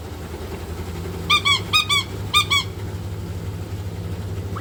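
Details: Shrill, ringing squeals in three quick pairs from a pet white-bellied caique that rushes to the washing machine whenever it hears water, over the low continuous drone of the running machine.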